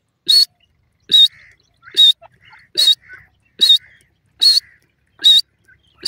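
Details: Partridge calling beside a cage where a female bird sits and is startled; a steady series of piercing, high whistled calls, about one each second, each followed by quieter murmuring notes.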